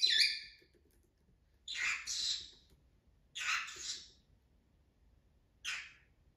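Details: A pet conure gives four harsh, raspy chirps, each about half a second long and spaced roughly 1.5–2 seconds apart, in a quiet room; chirping is described as happiness, excitement at seeing its owner, or frustration.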